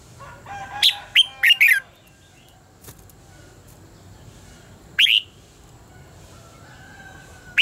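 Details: Training sound of a red-whiskered bulbul in contest song: a short phrase of three to four whistled notes, then single sharp falling notes spaced several seconds apart, with a faint steady tone in the background.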